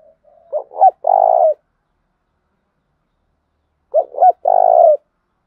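A spotted dove gives two short soft notes then a long, rolling mellow coo, repeated twice about four seconds apart, with silence between.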